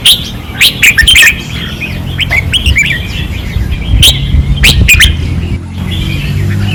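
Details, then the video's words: Red-whiskered bulbuls on a training perch, 2024, singing fiercely: clipped whistled notes and quick warbling phrases in irregular bursts, with scattered sharp clicks and a constant low hum beneath. "เสียงนกกรงหัวจุก ราวซ้อม ร้องอย่างดุเดือด"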